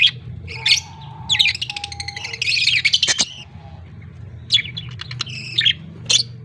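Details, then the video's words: Caged budgerigar chicks being fed by the male: bursts of raspy, buzzy squawking chatter with short gaps, a thin steady tone in the background and a low hum throughout. "Budgie is Australian chicks a baby feeding male"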